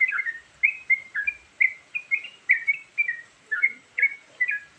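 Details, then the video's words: Varied lure song of a sooty-headed bulbul: brisk, clear, slurred whistles, each note bending down, repeated in a regular stream about every half second against a faint hiss. "Suara Burung Trucukan Isian Variasi Sangat Ampuh Buat Pikat"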